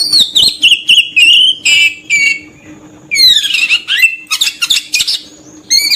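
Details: Oriental magpie-robin song used to lure birds: sweet whistled notes and sliding phrases alternating with harsh buzzy bursts, separated by short pauses, over a faint steady hum.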